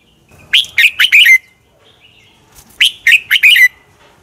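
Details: Fighting song of a red-whiskered bulbul, used as a training lure: two cheerful phrases of four to five quick warbled whistles, the final note falling, with a faint soft note heard during the pause.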